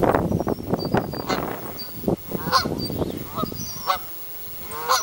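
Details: Canada goose families calling: a dense jumble of harsh, nasal honks overlapping one another, with a few higher squeaky notes and faint thin bird chirps in the background.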